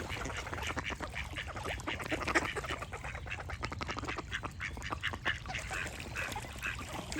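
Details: Overlapping duck quacks come in quick, harsh bursts as a busy flock calls continuously, with bird song mixed in and a low outdoor rumble.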